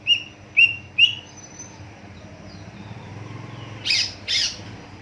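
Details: Greater green leafbird song used to prompt other leafbirds to sing: three short whistled notes about half a second apart, a quiet gap, then two loud buzzy bursts.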